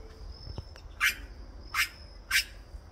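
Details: Giant cowbird song: three loud, harsh, broadband bursts at about 1, 1.8 and 2.35 seconds, with a steady thin high tone running behind and low rumbling background noise.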